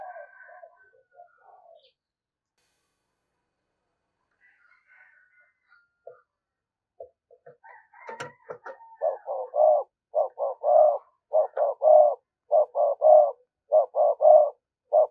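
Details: Spotted dove lure bird in the 'thúc gù' cooing style: near silence with faint murmurs and a sharp click for about nine seconds, then loud, rhythmic cooing in paired short notes and longer coos repeating roughly every second.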